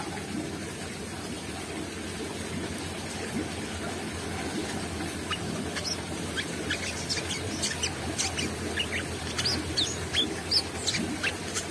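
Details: Brown-throated sunbird singing busily with open beak; after a quiet start, a run of thin, sharp, high chirps and brief twittering notes fills the second half, repeated rapidly and irregularly over a steady low background hum.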